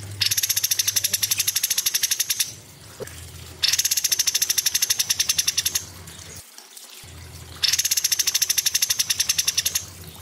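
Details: Cucak cungkok delivering a rapid, sharply pulsed song. Three long bursts of fast, high, buzzy notes, each about two seconds long, are separated by short quiet gaps.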